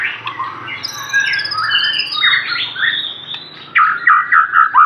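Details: Aceh white-rumped shama in full song with rich filler phrases: jumbled whistles and buzzy slurs, then four loud, evenly spaced downward-swooping whistles closing the passage.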